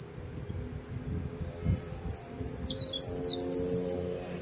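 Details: Líu-style song of a white-eye near the Kỳ Cùng river: scattered high chips that build after two seconds into a louder, fast, jumbled twitter of rising and falling notes, over a low background rumble.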